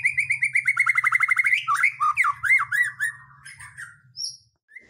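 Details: White-rumped shama song used to provoke other birds into singing: a fast run of repeated chirping notes, about four per second, then looping whistled phrases and a high squeak, over a low hum.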